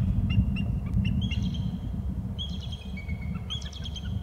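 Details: Two bald eagles calling from the nest tree after one returns from the left: thin, high chittering notes in short bursts over a steady low rumble.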